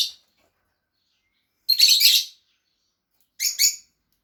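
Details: Pet Fischer's lovebirds, two kept birds: a clipped note at the start, then a long harsh chattering burst and a shorter doubled shriek, sharp and high, with no background noise.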